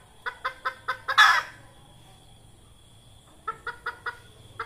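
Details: Lure call of a red junglefowl hen for trapping wild birds: five crisp, regularly repeated clucks building into a loud, harsh squawk, a two-second gap, then another run of five clucks and a single last one.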